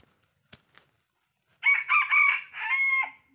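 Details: Young Sumatran red junglefowl crowing during traditional trapping in Sumatra: after a couple of faint clicks, one harsh, strained crow of several buzzy segments ending in a drawn-out note.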